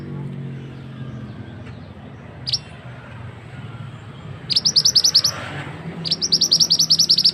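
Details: Male scarlet-headed flowerpecker, the mandi darah or mantenan, giving a loud lure call used for trapping birds in forest: a single high note, then two rapid trains of sharp, high ticking chips, with faint low background hum.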